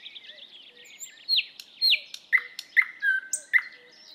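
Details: Thrush nightingale song beginning with soft twittering, then loud descending whistles and a series of emphatic sharp notes, each dropping into a short steady tone, about half a second apart.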